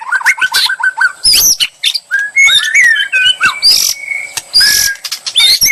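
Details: White-rumped shama singing as bait to draw a bold reply; opens with a fast series of short repeated whistles, then rising slurred whistles and bursts of hissy chatter, a faint constant high tone underneath.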